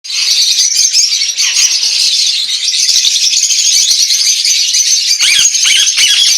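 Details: A little flock of lovebirds (Agapornis) in an aviary chattering nonstop, a dense wash of shrill squeaks and chirps overlapping with no pauses.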